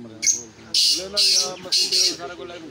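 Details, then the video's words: A black francolin being readied for chakri utters a short screechy note, then four rasping, grating bursts in quick succession while a man speaks softly in the background. "کالے تیتر کو چکری کے لیے تیار کیا جارہاہے"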